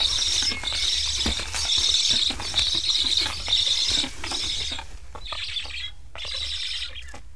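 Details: Hungry black stork chicks in an Estonian nest beg as parents return but fly off without feeding them; harsh wheezy hissing bursts repeat in quick runs, mixed with clattering and rustling noises, fading to shorter gapped bursts.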